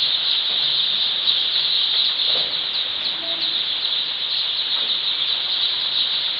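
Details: Many newly hatched baby chicks on a poultry farm's first brooding day keep up a steady wall of thin, high peeping, with individual chirps just showing through the crowded chorus.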